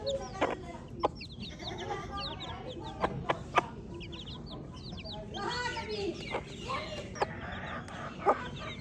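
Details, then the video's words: Chorus of baby chicks giving high, quick falling peeps, dense and overlapping, with scattered sharp taps and a few softer lower notes. "Baby Chick Chirping Sounds"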